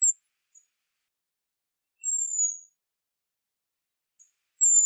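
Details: Western Spindalis calls: a sparse sequence of very high, thin notes, including a drawn-out slightly falling whistle in the middle and short high chips at the start and end, with long silent gaps between.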